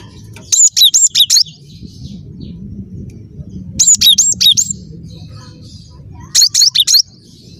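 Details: Cinereous tit (gelatik batu) singing vigorously: three short bursts of rapid, high, clear whistled notes, each burst of four to five quick slurred phrases separated by pauses of about two seconds, over a steady low rumbling background.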